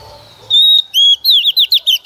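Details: Oriental magpie-robin female, kept as a decoy to stimulate males to sing, gives a sustained pure whistle, then a falling whistle and a brisk string of curling, bouncy notes.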